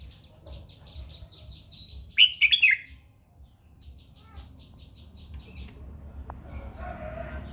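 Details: Morning song of a red-whiskered bulbul, sung for voice training and to stir other birds into song: one brief, loud, rich warbled phrase, with quieter twittering before it and a low background hum.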